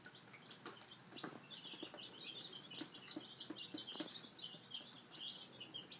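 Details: Several five-day-old chicks feeding in the morning, their steady high peeping running together in a busy chorus, punctuated by frequent pecking taps and clicks.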